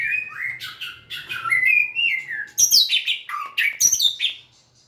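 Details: White-rumped shama singing while wagging its tail; clear whistled phrases sliding up and down, then very high sharp notes and chatter, fading at the end.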